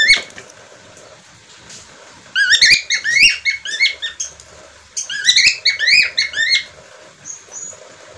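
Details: Budgerigar, called parkit australia or falk, quiet at first, then two bursts of dense, warbling upswept chirps, ending with a faint thin whistle.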